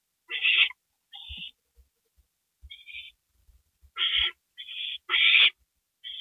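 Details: Owl at night, 2:05 AM on April 27, as prey is brought to the nest: rough hissing screeches in irregular bursts, some shorter and thinner, mixed with quiet knocking sounds.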